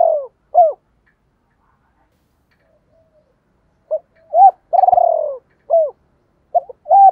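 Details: Captive Spotted Dove used as a decoy to attract wild birds, calling in the double-voice (giọng đôi) style: paired arched coos, a long pause, then a phrase of short coos, a rolling descending purr and further hooted notes.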